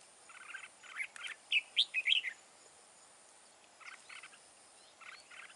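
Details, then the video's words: Wild-caught red-whiskered bulbul with a forest voice, used in fight trapping. A burst of loud, clear whistled notes sits between softer, buzzy pulsed chatters repeated at irregular intervals. "chào mào BỘ TO HẦU TO GIỌNG RỪNG BAO HAY"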